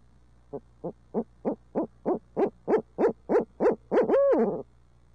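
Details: Urbanized barred owls in Midtown Tulsa in a super long hoot fest: fourteen rapid hoots rising steadily in loudness, climaxing in a drawn-out bowed hoot with a wavering fade, over low hum.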